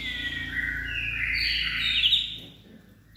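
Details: White-rumped shama in peak form with a steely voice, singing a loud whistled phrase that sweeps upward and swells before dropping off, over a low background hum.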